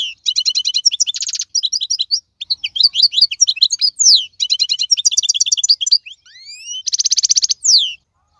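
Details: Strong wild-caught European goldfinch singing a long, high, rapid medley: tinkling chips, buzzy rattled trills and twittering runs, with a few clear upslurred whistles before a final dense buzzing trill; no other sounds.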